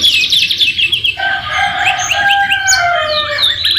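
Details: Canary song filled with white-rumped shama (murai batu) phrases, used as tutor material: a high rapid trill at the start, then long whistled notes and overlapping slurred phrases at several pitches.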